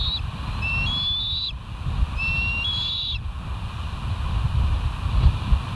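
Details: Bald eagles at the West End nest, recorded by a live nest camera on 28 September 2023 at 07:04; two series of thin, high whistled notes rising and dropping in steps, over steady low wind rumble.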